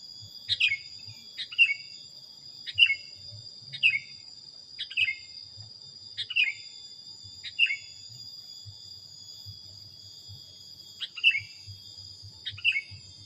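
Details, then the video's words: Sooty-headed bulbul for song training: about nine quick, sliding chirp phrases repeated at irregular intervals of one to three seconds. A steady high-pitched insect whine runs throughout. "suara masteran kutilang"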